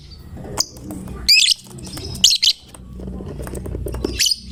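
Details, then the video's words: Lovebird of fighter type singing steadily ('gacor'), said to draw other lovebirds into singing; short piercing rasping bursts, three to four brief outbursts separated by quieter gaps over a low hum. "Lovebird GACOR Fighternya Memancing LB manapun Ikut Bunyi"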